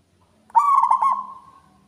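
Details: Local zebra dove in full song, loud and ringing: one phrase of rapid, clipped cooing notes that melt into a steady, drawn-out tone fading over about a second.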